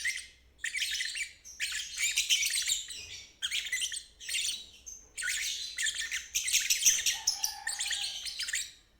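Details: Lovebird ngeriwik singing, used as therapy to get silent birds and juveniles to sing. Bursts of raspy, high, buzzing twitter vary in length, with a soft lower tone near the end.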